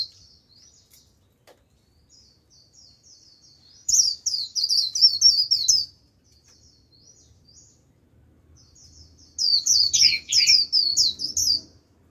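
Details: Japanese white-eye used as a decoy to draw a wild flock, giving líu song: faint scattered high notes, then two loud bursts of fast, piercing twittering several seconds apart, one ending in lower slurs.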